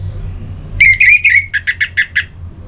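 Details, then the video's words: Orange-headed thrush song for stimulating singing: a warbled run of three connected whistles, then six short, harsh, evenly spaced notes at about seven per second, over a low hum. "Suara Ini Bisa Membangkitkan Burung ANIS MERAH agar Jadi Gacor"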